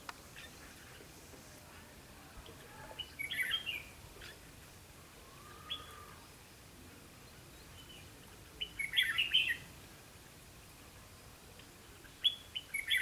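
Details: Red-whiskered bulbul at a trapping site: bursts of quick, bright chattering notes separated by pauses of several seconds, with one low faint slurred note between them and soft background hiss.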